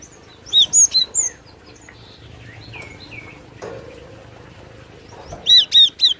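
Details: Actively singing glatik batu, or Cinereous tit, on a lure recording; four clear piercing two-part whistles in quick succession, soft lower chirps in the middle, then another run of four sharp whistles near the end.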